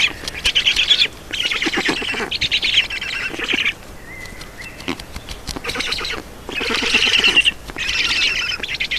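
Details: Black stork nest in Estonia, feeding on 4 June 2019: shrill, wheezy bursts of squealing, a quieter pause in the middle, then more loud, squeaky pulsed calls.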